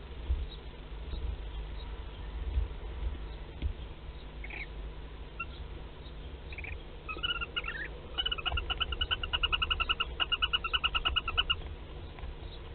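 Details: Western barn owl in a nest box at Théding on 15/03/2021, while laying its first egg. After a stretch of low indoor rumble, a rapid run of short, harmonic chittering notes repeats several times a second, fading out near the end.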